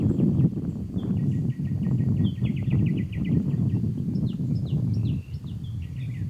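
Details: Wild red-whiskered bulbul at a trapping site, 3 July 2020; thin, rapid, repeated chirping notes in quick runs over heavy low rumbling background noise.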